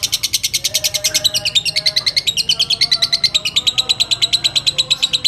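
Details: Lovebird of fighter type giving a long ngekek chatter, used as bait to excite other lovebirds and as a tutor for other birds; a fast, even run of high buzzy chips, about eight per second, shifting in tone midway.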